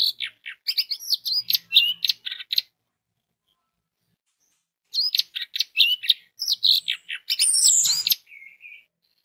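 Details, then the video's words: An orange-headed thrush gives a rapid, jumbled song of sharp whistles and chirps, used to provoke other orange-headed thrushes into song. Two bursts are separated by a long pause, the second ending in a short buzzy note. "DENGAN SUARA ANIS MERAH INI 99% ANIS MERAH AUTO BUNYI DAN SINGSET"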